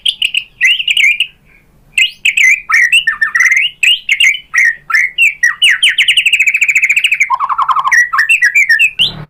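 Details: White-rumped shama singing as a provocation recording meant to stir other birds into answering: dense, varied whistled and chattering phrases, a fast rattling trill, then a lower warble and a final rising note.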